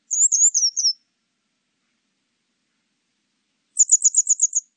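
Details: Grey wagtail, 2020 recording: a quick run of high, slurred chirps lasting about a second, then silence, then a rapid burst of seven sharp, evenly spaced high notes, all against a clean, quiet background.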